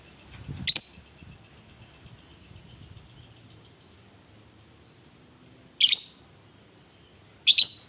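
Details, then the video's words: Fighting-type lovebird, recorded to rouse other lovebirds: three brief, scratchy, high-pitched bursts, two of them close together near the end, with faint room noise between. "PANCINGAN LOVE BIRD PETARUNG NGETIK NGEKEK"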